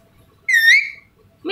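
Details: A pet green ringneck (rose-ringed) parakeet, talking and saying 'Papa', gives a half-second, high, rich-toned utterance that rises slightly then trails off; a lower rising syllable starts as the recording ends.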